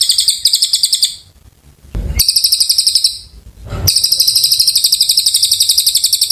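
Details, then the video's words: Oriental white-eye in sustained song: three bursts of a fast, high, buzzing trill separated by short breaks containing low noisy thumps, the last burst running several seconds. "Cililin gacor panjang"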